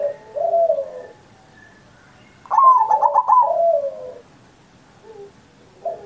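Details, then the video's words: Zebra dove singing to lure other perkutut, recorded on Indonesia's 79th Independence Day. Soft low coo, a pause, then one strong burst of rapid clipped coos fading into a long falling note, and a faint coo after. "Perkutut Masteran Manggung Gacor Mancing Burung Lain"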